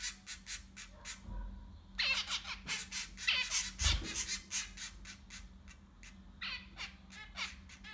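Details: Nestling zebra finches, six chicks together, give a jumble of fast, scratchy, squeaky calls with louder buzzy bursts and brief quieter gaps; a soft low thud is also heard.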